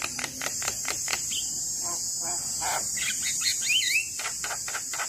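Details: Javan myna in lively full song, used as a master recording to coax young mynas that sing little: harsh clicks and rasping bursts at a brisk rhythm, then a looping whistled phrase near the end, over steady high insect-like hiss.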